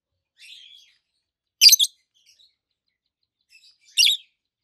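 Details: Two healthy adult green peach-faced lovebirds chirping, one red-faced, one yellowish white-faced; a soft trill, then two sharp harsh chirps about two seconds apart with faint twitters between.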